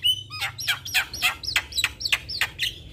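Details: Champion Javan myna singing nonstop: about nine strident, rising whistled notes, each with a harsh edge, repeated roughly every third of a second.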